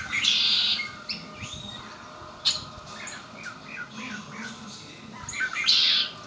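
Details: Two harsh buzzy trills from a red-winged blackbird kept at home, one at the start and one near the end, separated by scattered short chirps and soft notes.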